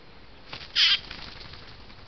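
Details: Magpie attacked without warning by another magpie in a woodland near Hereford, UK: a single loud, harsh, rasping burst lasting about a quarter second, preceded by faint rustling, over quiet background hiss.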